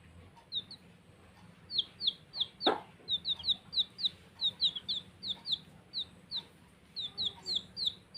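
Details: A steady stream of high, downward-sweeping peeps from playing baby chicks, several calling close together, with one knock and a quiet low hum behind.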